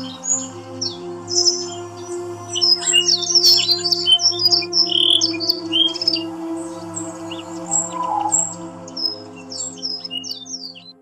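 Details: Yorkshire canary singing, a training sound for other canaries: long stream of fast chirps, twitters and short whistled sweeps repeated at a brisk pace, loudest in the middle, over a faint low hum.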